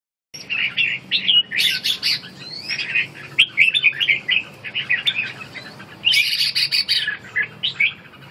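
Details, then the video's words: Red-whiskered bulbul giving ché calls while wing-dancing: dense bursts of harsh, chattering notes in quick runs, with a short upward slurred whistle partway through and brief lulls between outbursts. "Ché, múa cánh"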